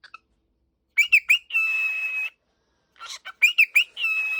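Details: Cockatiel calling on waking: three sharp chirped notes then a long even buzzy whistle, the pattern repeated twice with about a second of silence between, clean and close with no other sounds.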